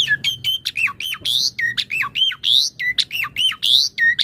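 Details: Jalak suren (Asian pied starling) singing a master song to train other birds: rapid repeated phrases of clicks, squawks and looping whistles, about fifty phrases a minute.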